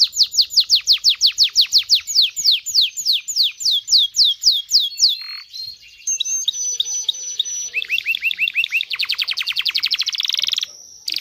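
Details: Canary song meant to arouse males and females for mating: rapid descending high notes in a steady trill, shifting to whistled tones and a lower, faster rolling trill near the end.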